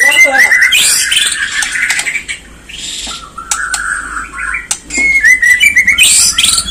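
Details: Song of a white-rumped shama meant to stir other birds into singing and agitation: rich varied whistles, sharp clicks and rising trills in fast succession, with a noisy background hiss.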